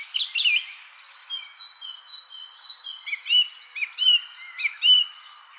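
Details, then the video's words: Birds chirping on a spring evening: scattered short bright chirps and slurred notes, bunched near the start and again toward the end, over a steady high insect drone. "Relaxing evening spring birds chirping sound effect"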